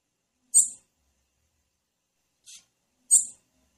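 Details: Female blue-black grassquit calling to prompt males to sing: short high sharp chip notes, two loud ones about two and a half seconds apart with a fainter note between, in otherwise silent surroundings.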